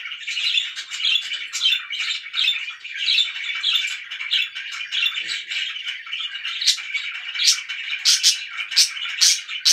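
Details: Steady budgerigar chatter, pet birds giving a rapid, even stream of buzzy warbled notes with occasional sharper high clicks toward the end.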